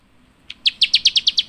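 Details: Java sparrow, a rice-eating bird, chirping: a rapid, even run of about eight bright, high chirps in just over one second, starting after a brief pause.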